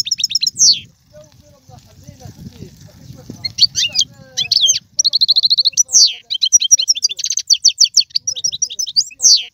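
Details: European goldfinch song for getting a pet goldfinch singing, mixing liquid high twitters, buzzy trills and sweeping notes over a low rumble early on, becoming a continuous lively twittering stream.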